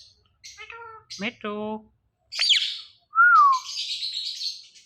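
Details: Talking ringneck parrot kept as a pet, making sounds: short nasal syllables and harmonic voice-like notes, a raspy burst, then a clear whistle sliding downward, followed by a hissing screech indoors.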